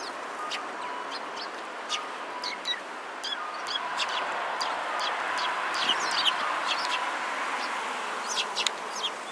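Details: Several sparrows at a Tenmangu shrine on 6 December 2016 give short, sharp, scattered chirps, some in quick pairs, over a steady low hum of background noise.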